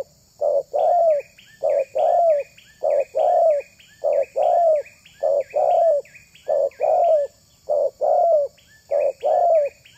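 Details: Spotted dove cooing to attract other doves, regular short-long coo pairs repeated every second or so, while a higher thin chirping bird calls continuously behind.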